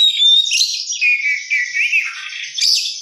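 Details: Oriental magpie-robin (kacer) in gacor isian song: a thin high whistle opening into wavering warbled notes and a downslurred buzzy sweep, continuous throughout.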